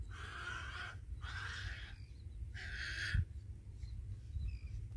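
A little blue heron gives three harsh, raspy croaks about a second apart, over a low rumble of wind, with faint high chirps from other birds afterward.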